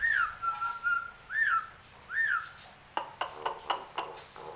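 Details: Nias hill myna in full song while bobbing its head: three loud slurred whistles rising then dropping, each about a second apart, then a run of sharp clicking notes with short whistled fragments.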